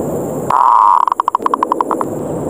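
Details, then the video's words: Zebra dove lure call challenging others to fight. A drawn-out steady note is followed by a quick series of evenly spaced, clipped pulses that slightly slow toward the end, all over a background hiss. "SUARA PIKAT PERKUTUT NGEROT NGAYER NGAJAK TARUNG"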